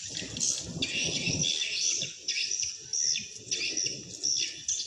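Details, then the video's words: Swiftlet calls broadcast to draw wild birds to a swiftlet house: thick, high, buzzy chattering that pulses in short bursts, over low rumble. "Sound attracting Swiftlets from the wild easily"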